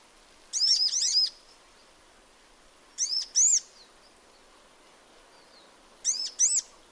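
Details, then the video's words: Sunbird in natural habitat: three bursts of two or three high, arched chirps spaced about two to three seconds apart, with quiet background hiss between them. "Sunbird Singing Sounds"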